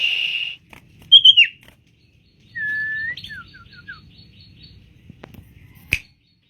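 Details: Tame caged common iora singing actively: a steady low whistle, a short upslurred whistle phrase, then a quick series of brief descending notes, with a sharp click near the end.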